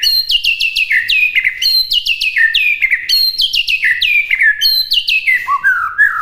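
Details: White-rumped shama singing a training song for other birds to imitate: dense, bright whistles in rapid clusters, each note swooping down from high to mid pitch, grouped into bursts about every second, closing with a rising flourish.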